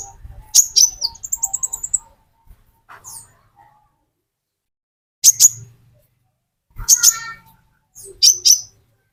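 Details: Metallic konin, the olive-backed sunbird, as a lure recording for green konin: a quick run of high, thin ticking notes, then spaced bursts of sharp piercing chirps between silences.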